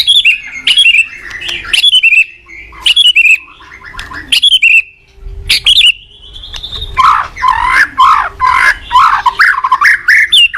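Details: White-rumped shama song used to train other shamas: repeated loud whistled phrases with sharp attacks, a long rising whistle, then a fast jumbled warbling sequence of varied notes.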